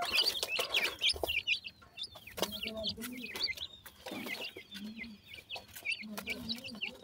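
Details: A brood of baby partridges feeds with a steady stream of high, wavering cheeps. Soft, low rounded tones recur underneath, along with clicks of pecking.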